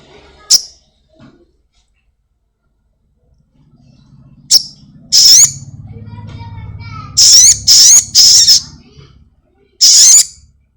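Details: Black-winged myna kept at home, with song used to prompt caged birds to sing quickly: sharp single high notes, then bursts of loud shrill whistles in a fast group of three and a final note, over a faint low hum.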